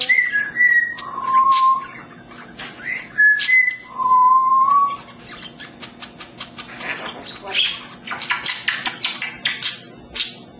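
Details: Indoor African grey parrot, a pet, gives short paired whistles at two pitches and a long rising whistle, then a run of rapid clicks, pops and scratchy chatter.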